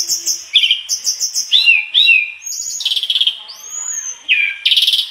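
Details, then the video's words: Mangrove blue flycatcher in busy gacor song with isian fill-ins: repeated high chirps, curling slurred whistles, rattling trills and a long arched whistle, phrases changing rapidly. "Tledekan bakau gacor bongkar isian"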